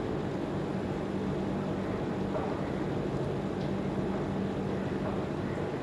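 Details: Steady, loud low rumble like an engine or vehicle runs throughout, with a faint droning tone and no animal calls.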